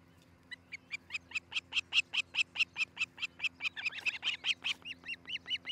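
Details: Osprey of a nesting pair at Charlo, Montana, filmed by a nest cam early on 13 July 2018. A long, steady string of about twenty-seven high, sharp whistled notes, rapid and insistent, lasting five seconds.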